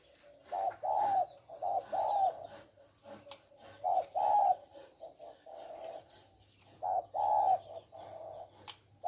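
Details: Male spotted doves kept as decoy birds for trapping in Thailand; muffled paired coos in irregular bursts with pauses between, over a low steady hum and light rustling.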